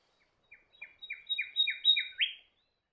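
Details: Sacred Kingfisher on Lord Howe Island giving a quick run of about seven harsh, down-slurred notes, each roughly a quarter second apart and growing louder toward the end.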